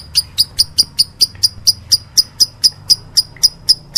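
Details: Lovebird giving a meloloh call: crisp, piercing ticks repeated about four times a second in an even, insistent rhythm, with faint low background hum.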